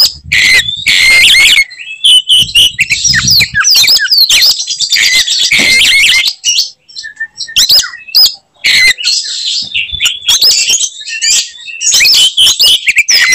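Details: Aggressive fighting song of an Oriental magpie-robin meant to enrage other magpie-robins: continuous, high, piercing torrent of whistled notes, buzzy chatters and quick upward and downward slurs, broken by a few brief gaps.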